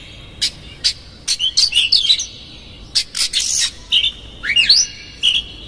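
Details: Oriental magpie-robin lure song for provoking a rival: scattered sharp clicks, high chirps and warbled whistles, including a sweeping rising-falling note, in irregular bursts.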